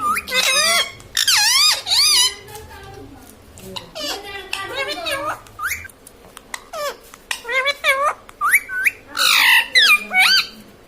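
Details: Indoor talking pet parrot, said to say mummy and papa, uttering rapid rising-falling harmonic calls and voice-like phrases in clusters, with soft background murmurs and clicks between bursts.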